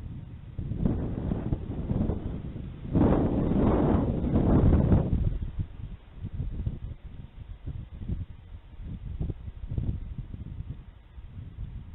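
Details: Loud wind rumble and rustling with scattered thumps at an eagle nest, no animal voice heard.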